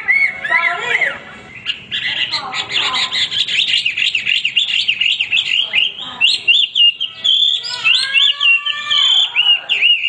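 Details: Vigorous, unbroken Hwamei song mixing slurred whistles, rapid rattling trills and looping melodic phrases that vary constantly.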